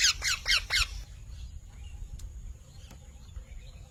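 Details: Parrot giving four harsh, rapid squawks in about one second, each a sharp downward-sweeping burst, followed by near silence with low rumbling background noise and a faint click or two.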